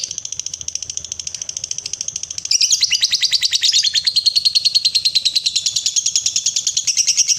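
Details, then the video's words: Lovebird sings a sustained ngekek trill for prompting other lovebirds, the rapid pulses growing louder after two and a half seconds and continuing steadily to the end. "Love Bird Biar CEPET BUNYI! 7 Hari Langsung Ngekek Panjang"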